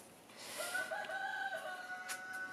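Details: A neighbour's rooster crowing heartily in a suburban garden near Lyon, France, in January: one drawn-out, harmonic crow of about two seconds, rising then held steady, heard from some distance over faint background noise.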